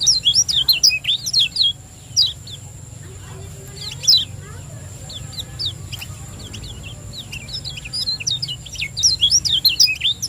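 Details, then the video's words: Lemon-bellied white-eye from Lombok singing the 'ciak joss' style, used to stimulate silent birds: quick strings of high, sharp, wavering chirps, a sparser pause with faint low tones, then a rising rush of rapid chattering notes. "Ciak Joss Kecial Kuning Gacor • Cepat Rangsang Bunyi Pancingan Kecial Kuning Lombok Juara"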